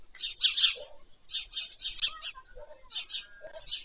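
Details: White stork chicks at supper in their nest, Leliaky village, Poltava region, Ukraine, by Pyriatynskyi National Nature Park, 21 July 2024, via a livestream camera. Grating, wheezy bursts repeat quickly, mixed with a few lower, softer notes.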